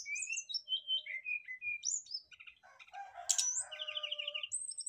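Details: Brown-chested jungle flycatchers singing in reply to each other and showing their fill-in phrases: a lively run of whistled slurs and chirps, then a jumble of buzzy and warbled notes with a fast repeated trill, continuous throughout.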